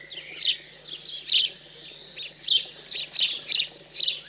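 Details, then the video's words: ,House sparrows being fed after fledging in cold countryside of central France, 15 June 2020: bright, high chirps in uneven bursts, about seven loud notes in four seconds over a faint steady hum. "MOINEAUX Domestiques/Nourrissage après l'Envol"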